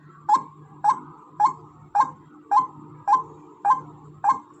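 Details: A female white-breasted waterhen repeats a harsh, clipped croak eight times at a steady pace, every note sharply struck and fading fast, with low hum in the background.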